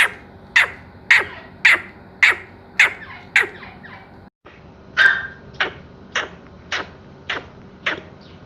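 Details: Grey francolin, known in Hindi as teetar, giving loud, harsh, sharp notes repeated almost twice a second. A short silent break comes midway, then the series resumes slightly softer against a quiet background.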